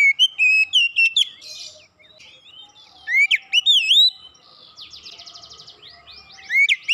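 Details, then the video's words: Oriental magpie-robin (kacer) singing non-stop and fast: rising and falling whistled notes, looping slurs, and a buzzy rattling trill, mixed in varied quick phrases with brief gaps. "Kacer macet bunyi cepat gacor"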